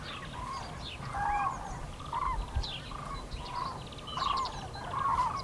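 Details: Common cranes over the Eifel on 6 March 2018, calling in flight: loud, rolling trumpet notes repeated roughly every half second from several birds, with scattered high chirps from smaller birds and a low rumble.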